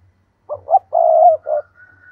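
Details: Decoy spotted dove in a tree, calling to entice wild doves: two short rising coos, one long rich hoot, then a shorter coo, with a faint thin whistle and low rumble behind.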